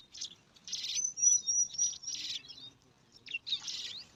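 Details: At a bar-winged prinia nest in alang-alang grass, five chicks vie for food with two dense bursts of high, scratchy begging chatter, while a thin, sharp whistled note runs over the first burst.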